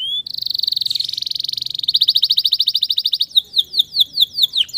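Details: Male canary song played to encourage stressed canaries to sing again: a sharp opening note, a long fast trill that broadens into pulsed rolling notes, then repeated descending whistled slurs.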